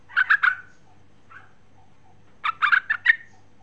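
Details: Female sooty-headed bulbul calling the male: two quick bursts of three to five bubbly, chortling notes about two seconds apart, with a faint single note between them over a low steady hum.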